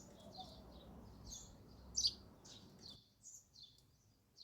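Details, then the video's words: Sparrow chirping at a feeder: a quick series of high, short, slurred tweets, one louder sharp note midway, background hum dropping away partway through. "sparrow sound effect | ચકલી ઘર | chaklino avaj"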